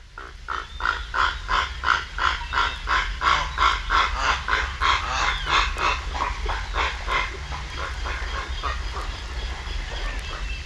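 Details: Purple heron in the Camargue, France gives a fast run of harsh, nasal croaks, about three a second, fading after six seconds over a low wind rumble.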